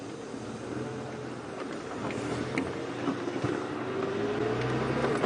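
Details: Rising and falling vehicle engine noise with faint whining tones and small rattles during an afternoon safari drive.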